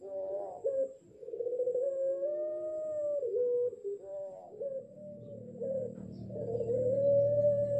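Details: Ring-necked dove about six months old, a pelung bird learning to coo in the dark with a wolf-like howling voice: drawn-out wavering tones broken by brief rising flicks, then a long even note, over a low background hum.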